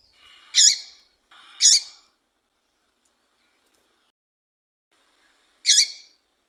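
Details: Female double-collared seedeater call for rousing males: two harsh buzzy notes a second apart, a four-second pause, then a third matching rasping note.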